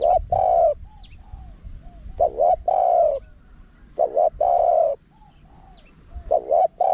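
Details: Small-voiced spotted dove in a wild-style call used to attract wild doves. A broken double coo and a long steady coo repeat in phrases about two seconds apart, with soft faint notes between them.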